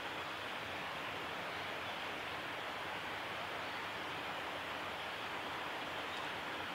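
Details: Steady rushing noise like a stream or waterfall fills the whole stretch, with no animal voice rising above it.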